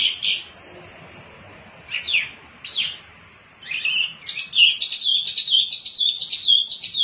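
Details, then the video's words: Mini wambi song played as a lure for other birds, best used in morning or afternoon: a few separate chirps with pauses, then a fast continuous run of high twittering notes. "Wambi Mini Gacor Pancingan Burung Bahan Cepat Bunyi dan Ikut Gacor"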